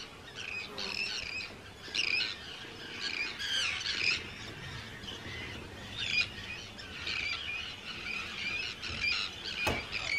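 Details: Hundreds of breeding Arctic terns on Rottumerplaat, Groningen, the Netherlands, 4 June 2023; repeated short, harsh, chattering screeches in bursts from several birds, with a sharp knock near the end.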